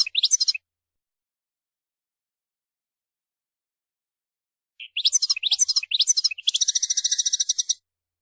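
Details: European goldfinch with a brief twitter at the start, then a long silence before a lively sequence of fast tinkling, rising notes runs into a sustained rapid trill.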